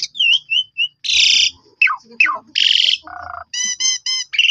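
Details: Black-collared starling singing as a lure for rival starlings: whistled slurs, loud harsh rasping bursts, falling squeaky notes and a short run of repeated clear chirps.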